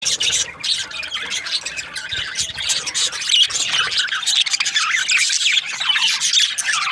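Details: Budgerigars in breeding season, a flock chirping happily: dense overlapping high squeaky chirps and warbles, continuous without pauses, with a brief quieter dip near the start.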